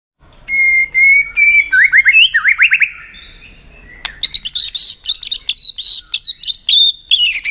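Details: White-rumped shama singing to rouse another shama for song contests: a long steady whistle, then quick rising slurred notes, a pause, and a fast burst of high, bright, varied whistles and trills.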